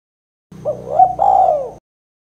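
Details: Spotted dove giving its rare 'kuk 2' style call, used for luring and prompting birds: one mellow coo phrase with a short rising note, then a longer falling, slightly wavering coo, over a faint low hum.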